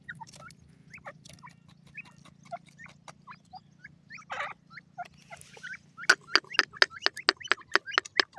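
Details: A pair of grey francolins: scattered sharp notes, then a loud, fast run of ringing, evenly spaced calls, about four per second, over a steady low hum.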